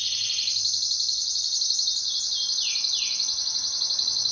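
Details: Pet canary in duet, a loud dense high trill held throughout, broken by several quick downward-sliding notes, with faint rapid notes of another singer above.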